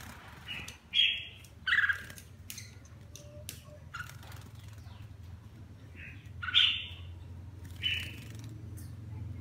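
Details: Bathing and singing at once, a kept red-whiskered bulbul with partial cheek patches and lion-style crest gives a few loud whistled notes in two clusters, separated by a quiet gap, over low rumbling hum.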